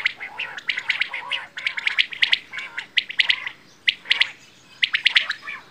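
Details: Quail (bedana) giving rapid, twittering runs of sharp chirps, closely packed at first, then broken into shorter groups after a brief lull.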